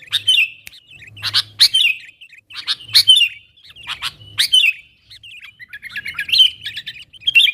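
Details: Lure calls of a sooty-headed bulbul calling wild companions: short whistled phrases repeat about every second and a half, each led by sharp clicks, then turn into a busier twittering at the end.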